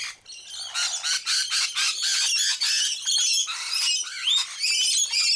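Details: Feeding rainbow lorikeets in Sydney, busy on sunflower seeds, keep up a continuous stream of rapid, scratchy shrieks and chattering notes from many birds at once.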